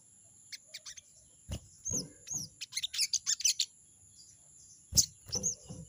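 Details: Sogon, the crested jay, goading an opponent: a short burst of quick, high "crecet" chatter in the middle, with a few scattered chirps around it. Low knocks and a steady high tone are also heard.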